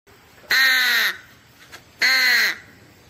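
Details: Black crow (Corvus) calling: a pair of raspy, drawn-out caws roughly one and a half seconds apart, each flat then dropping slightly at the end, over faint background hiss.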